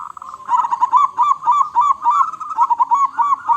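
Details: Local zebra dove, praised as a loud, prolific singer with a big voice, delivering a steady string of short bouncing, rise-and-fall coo notes, about three per second, clear and close with a quiet background.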